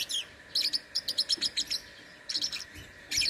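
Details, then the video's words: Lovebird singing for an online contest, Singkawang, West Kalimantan: dense chattering trills of rapid high chirps, a fast run of about ten notes in the middle, bracketed by louder buzzy bursts, with a steady hum behind. "LOMBA LOVEBIRD ONLINE 4 - Aksi LoveBird"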